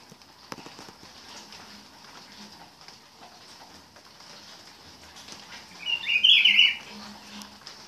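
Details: Pitiguari, the Rufous-browed peppershrike, gives a single brief, rich warbled phrase late in the recording, after several seconds of faint clicks, low hum and quiet background noise.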